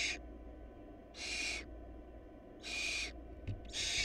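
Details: Food-deprived barn owl nestlings make drawn-out rasping hisses, three loud bursts plus a brief click, separated by gaps of about a second, over a faint hum.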